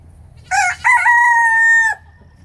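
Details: A farm rooster gives a single crow: two quick broken syllables, then a steady, drawn-out level note of roughly one second that stops abruptly; quiet low hum underneath.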